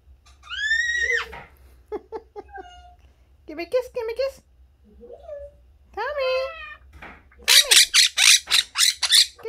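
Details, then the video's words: Pet parrot indoors imitating other birds: harmonic squawks and whistled slurs. A quick run of loud, sharp, high chirps follows, mixed with a person's speech. "Tomy imitating other birds"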